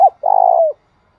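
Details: End of one note, then a long rolling coo sliding down at its close: a spotted dove's thúc bổi lure call, given to stimulate another dove.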